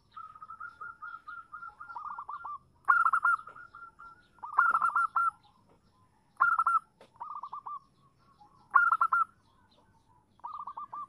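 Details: Female zebra dove calling a male, used as a lure to draw an answer: rapid stuttering runs of soft cooing notes, with louder bursts at roughly two-second intervals alternating with quieter trilled phrases, apparently from more than one bird.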